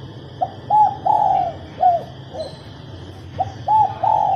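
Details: Female spotted dove cooing to stir males into singing: two phrases of short hollow coos building to a longer drawn-out coo, over a steady low hum.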